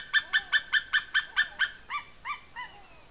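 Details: Young eagle on its nest in Smola, Norway, dated 7.12.18, eating fish taken from its mother, squeeing with excitement: a rapid run of seven loud, high yelps followed by three slower, slurred, falling notes.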